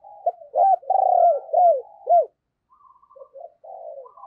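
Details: Decoy spotted dove cooing to call wild doves: a run of five loud, mellow, arched coos about half a second each, followed by softer, fainter cooing notes after a short pause.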